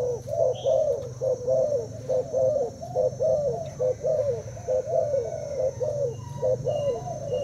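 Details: Thai-type spotted dove, two days in its cage, competing by cooing against a decoy; mellow low coos repeated about once a second in rhythmic phrases, with a faint chirp from another bird.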